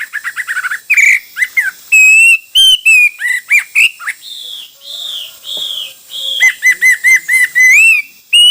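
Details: Varied hwamei song: an opening burst of quick chirps, then bright whistled notes, long level whistles, and a fast series of repeated arched notes ending in a rising whistle.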